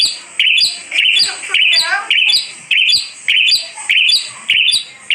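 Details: Asian pied starling for sale, giving a steady series of loud, harsh, rising chirped phrases spaced roughly every half second to second, with a brief wavering softer sound partway through.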